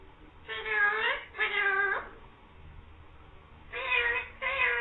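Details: Green parrot talking, saying "mian mithu meow"; four steady, strongly harmonic vowel-like phrases, two close together early and two near the end, separated by a long quiet pause.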